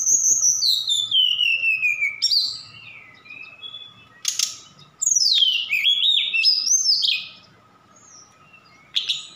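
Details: Javan bush lark from Sukabumi, singing with imitated cililin and sikatan londo phrases; a long whistle sliding steeply downward, brief sharp bursts, then a rising, wavering series of whistled notes before a quiet gap.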